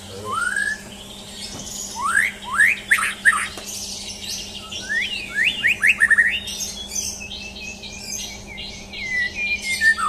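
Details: A champion white-rumped shama sings through a mental test with a series of steep rising whistles and loud chips, then rapid high twittering and dense scratchy notes, all over a faint steady hum.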